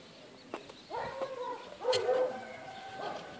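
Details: A turkey at an observatory gives two mid-pitched, warbling calls about a second apart, each roughly half a second long, with a few sharp clicks and knocks in the background.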